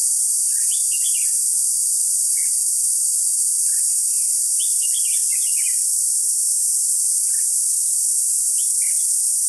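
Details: Red-whiskered bulbul decoy singing at a trapping set on 21 July 2016: scattered bright chirps and lively warbled phrases, the busiest stretch mid-clip, under an unbroken high-pitched insect buzz.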